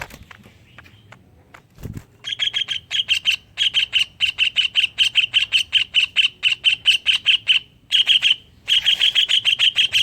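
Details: Greater green leafbird song carrying imitations of a kingfisher, used as a lure to prompt other leafbirds to sing: a brief low thump, then a long run of sharp, high chattering notes repeated rapidly in bursts, with short pauses between runs.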